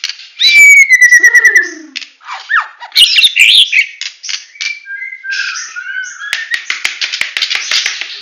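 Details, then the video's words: Full 'tembakan' song of a Medan White-rumped shama: a long loud falling whistle, then a mix of churring rattles, harsh bursts and short whistled phrases, ending in a dense buzzy stretch of rapid notes. "Murai Batu Medan Full Tembakan"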